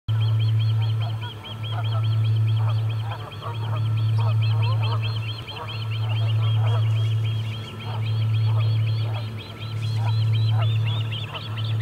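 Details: Osprey at the Charlo nest on 8 August 2020, a parent arriving without fish: a steady run of short, high whistled chirps repeated about every two seconds over a loud low hum of wind or equipment.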